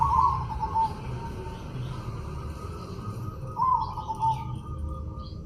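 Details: White, red-eyed zebra dove singing actively: a soft, trilled cooing phrase opens and repeats about three seconds later over a steady background hiss and low rumble.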